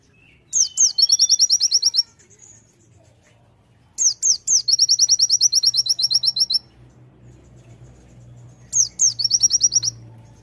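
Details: Energetic Sunda white-eye (konin) delivering 'tembakan' bursts: three bouts of rapid, high-pitched trilled chips, each about two seconds long and separated by short pauses, over faint low background hum.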